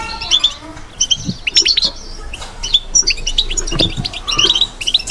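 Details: Bitbita-style European goldfinch song of scattered bright chirps and short twittering phrases with small pauses between bursts, and occasional soft low thumps in the background.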